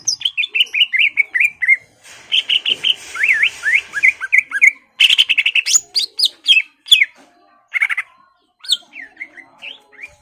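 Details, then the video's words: Greater green leafbird singing to goad a rival into a fight: runs of quick whistled notes, looping slurs and bursts of harsh chatter, with short gaps between phrases. "CUCAK IJO GACOR MEMANCING EMOSI LAWAN AGAR MAU JAMTROK DAN TARUNG"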